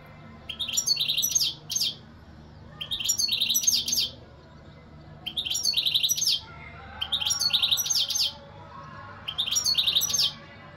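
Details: European goldfinch song in five bursts of rapid, tinkling, high twitters, each lasting about one to one and a half seconds and separated by short pauses, over a low background hum.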